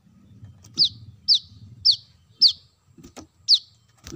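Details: Brown-throated sunbird calling, recorded as lure sound for birds: sharp, high, downslurred chips repeated roughly every half second over a steady low hum.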